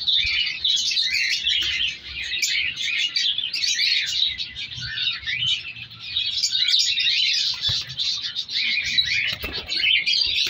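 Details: Captive colony of African color lovebirds, mutation breeding birds with young being separated, many birds calling at once: dense continuous high chirping and squeaky chatter, overlapping calls throughout, faint low thumps of movement in a room.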